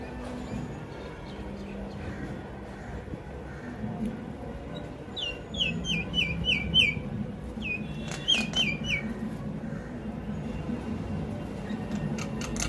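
Two quick runs of clear, falling whistled notes from a myna, with a few harsh, rasping bursts, over a steady low rumble of background noise.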